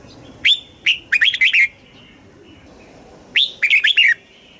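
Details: Red-whiskered bulbul song in the southern master style, played to stimulate caged birds and teach young birds, Thailand; two loud bursts of bright, warbling whistled notes dropping in pitch, about three seconds apart, with faint distant birds between.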